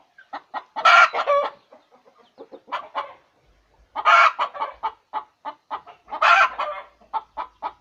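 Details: Hen laying an egg: runs of short clucks rise three times into loud, harsh drawn-out cackling squawks, about two seconds apart.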